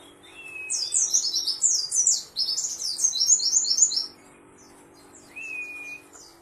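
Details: Pleci singing a rapid jumble of high chirpy notes for about four seconds, then pausing; a separate rising-then-level whistle sounds at the start and near the end, with a steady low hum beneath.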